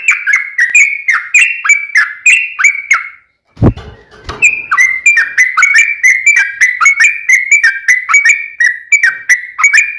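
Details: Sooty-headed bulbul in a long, rapid, fighting-style song used to draw an answer from other birds: a steady run of short, fluty, slurred whistles, broken once by a brief dull thump.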